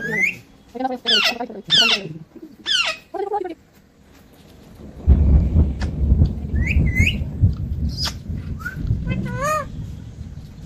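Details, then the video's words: Parrot talking: four loud, harmonic, voice-like squawks in the first three seconds, then a steady noisy rush with scattered high whistled notes and warbles rising and falling above it. "parrot talking"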